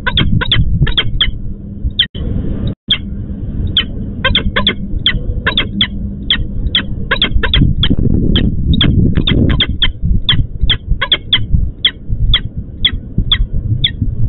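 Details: Female peregrine falcon at a nest site at the EC4 plant in Łódź, Poland, calling for the male, who failed to appear for the nest change. Short, sharp, harsh notes repeat steadily, about three per second, over a constant low industrial rumble.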